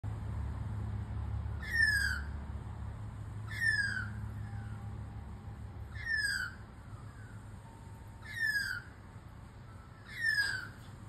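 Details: A lost baby magpie calling to birds at a distance gives five squawky, downward-slurred calls, one about every two seconds, over a low steady rumble of distant traffic or wind.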